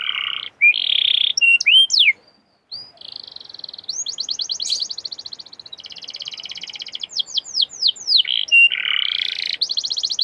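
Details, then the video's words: Canary singing in a recording meant to stimulate other canaries to sing: short buzzy bursts and swooping notes, a brief pause, then long rapid trills and descending slurred whistles, with a low rasping phrase near the end. "Canary gacorr!!!! canary bisu auto nyaut!!!!"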